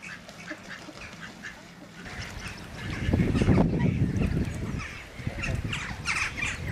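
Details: A common moorhen at Slimbridge gives short, harsh, croaking notes in quick bursts, over heavy low rumbling noise that swells in the middle.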